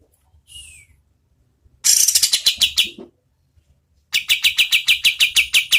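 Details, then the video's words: Lively oriental white-eye, known locally as kapas tembak, training song for competition birds: a thin falling whistle, then a burst of harsh high notes slowing into sharp chips, a pause, and another quick regular chip series. "KAPAS TEMBAK GACOR SPEED SEDANG Bagus sekali buat MASTERAN BURUNG LOMBA"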